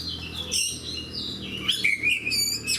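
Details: Fighter-type oriental magpie-robin singing energetically, with rich whistles sliding down, buzzy harsh notes and quick high squeaks mixed in a continuous, varied flow and a faint low hum underneath.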